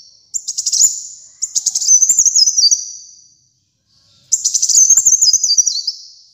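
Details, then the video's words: Kolibri muncang sunbird singing actively, kept for training pet birds to sing: high, thin rapid trills of stuttering notes sliding down in little steps, two phrases separated by a short pause, no other sounds. "Kolibri Muncang Gacor Dor"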